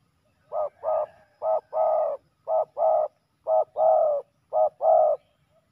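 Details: Male spotted doves fighting, recorded during ground decoying. Low, clean cooing in five pairs, each a short coo followed by a longer drawn-out coo, about one pair per second, with quiet gaps between pairs.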